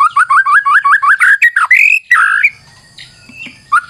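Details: White-rumped shama song used as a lure: rapid run of about a dozen repeated rising whistled notes, then a louder sweeping whistled phrase and a few scattered softer notes.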